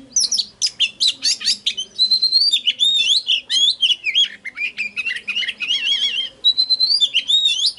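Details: Lure song of an oriental magpie-robin meant to call in wild birds: fast, loud stream of high sweet whistles, chattering bursts and pure held notes, nearly continuous, with a faint low murmur beneath.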